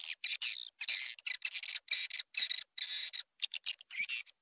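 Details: Swiftlet lure call: harsh, squawky, high chatter in rapid short bursts, some pulsing and some smoother, separated by crisp silences.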